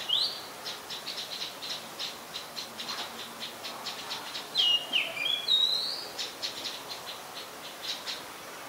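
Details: Common tailorbird, an adult at Ubon Ratchathani, Thailand, 3 February 2023: a steady train of dry ticking notes, about four per second, broken by a few shrill, downslurred whistled calls.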